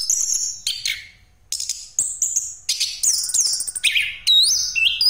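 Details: Rolling song of an orange-headed thrush, played as a lure for other birds: bright whistled notes and rapid trills in quick bursts, with a short pause, then a sustained stretch of high, sliding, warbled phrases.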